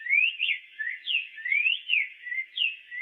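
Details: Song of the black-faced tanager: continuous fluty whistled notes that slide up and down, sweet and varied, delivered in quick succession with no background noise.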